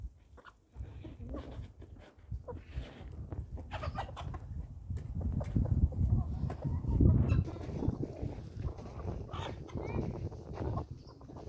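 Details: Chickens feeding outdoors: soft, scattered clucks and low murmuring calls over steady background rustle and noise, with a few brief sharper notes.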